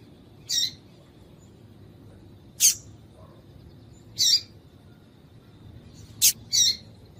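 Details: Female double-collared seedeater calling to get a male singing: short high sharp chirps repeated every one to two seconds, five in all, the last two close together, over a quiet background.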